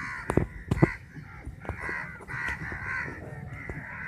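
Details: Large flock of about fifty crows squabbling over a piece of chapati, harsh overlapping caws with sharp thumps and clatter from scuffling birds throughout.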